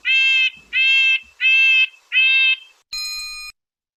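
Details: Red-breasted nuthatch (Sitta canadensis) call: four nasal, tinny 'yank' notes, each about half a second, evenly spaced, followed by a brief electronic tone.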